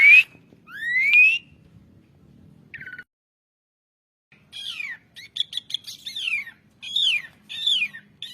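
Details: Asian pied starling phrases: rising whistles at first, a brief buzzy note, silence, then a busy sequence of clipped notes and descending whistled slurs.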